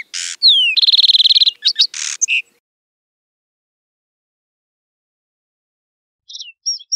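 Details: Lark sparrow singing in the wild: a clean, high song of varied elements, with buzzy notes, a fast even trill and sliding whistles packed into about two and a half seconds, then a short new phrase starting near the end.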